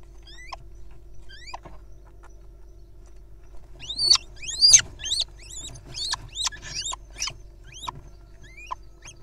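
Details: Little owl nestlings at play-fighting and grappling practice: a few sparse high squeaks, then a dense run of sharp rising squeals after four seconds, over a steady low hum.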